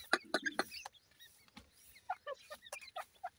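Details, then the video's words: Partridge chicks playing: a few loud knocks at the start, then sparse, clear, short whistled peeps and chirps, some downslurred, spaced irregularly. "partridge bird chicks playing"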